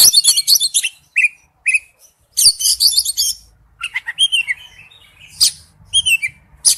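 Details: Wild-type forest-voice song of an Oriental magpie-robin: loud high scratchy bursts alternate with short clear whistles and pauses, then a varied string of chirps and slurred whistled notes.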